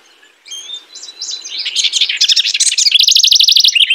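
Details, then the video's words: Singing house wren: a quiet start with a few thin notes builds steadily into a loud, bubbly stream of rapid trilled notes, ending in an even, fast rattle. "Singing House Wren.(Troglodytes aedon)."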